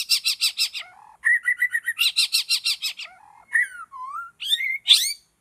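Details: White-rumped shama in a forest during trapping: a rich, fast song of rapidly repeated ringing notes in series, low warbled phrases, then sliding whistles and a sharp high flourish at the end.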